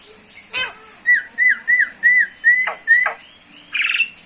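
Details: A Common Myna (Acridotheres tristis tristis) gives a quick run of six clear, slightly downslurred whistles on one pitch, broken by sharp clicks and ending in a harsh rasping buzz.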